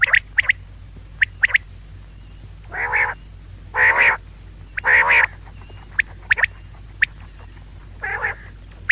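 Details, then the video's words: Female quail call with scattered sharp high clicks and four longer nasal, buzzy bursts spaced a second or two apart, over a soft background hum. "female quail call maadi batair ki awaz 2024 batair ki awaz"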